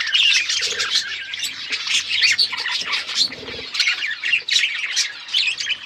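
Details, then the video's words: Budgerigars chattering as a flock, a steady wash of overlapping chirps, squeaks and warbling notes with no pauses, plus faint low thumps and brief murmuring sounds underneath. "Budgies flocks birds chirping sounds"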